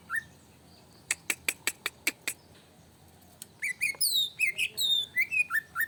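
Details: Greater green leafbird, agitated song used as a lure: a burst of about seven dry clicking ticks, then lively slurred whistles sweeping down from high to middle pitch in a quick, varied phrase.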